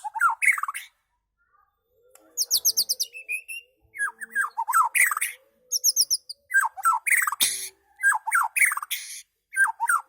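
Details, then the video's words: White-rumped shama from Medan, Indonesia, giving an unusual song: bursts of rapid, varied chirps and sweeping whistled notes in quick phrases, some slurred downward, others high and trilled, with short pauses between phrase groups. "MURAY BATU MEDAN SUARA ANEH"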